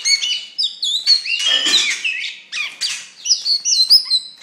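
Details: Song of an Oriental magpie-robin, a fierce songster: fast sequence of clear whistles, downslurred notes and buzzy raspy elements, varied and continuous, with high thin accents near the end.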